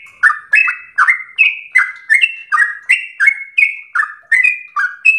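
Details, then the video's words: Sooty-headed bulbul, a captive home-kept bird, singing in the fast continuous 'gacor ropel slow' style used as a training tutor. Short slurred whistled notes fall and rise, delivered about two or three per second with no pauses and no other sounds. "trucukan SUPER GACOR ROPEL SLOW terbaik untuk masteran trucuk rumahan"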